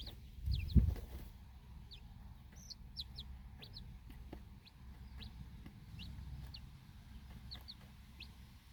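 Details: Backyard chickens: a mother hen with her four young chicks outdoors at feeding time, staying alert after a dog barks. A short low burst opens, then thin, high, downward peeps come scattered throughout over a steady low rumble.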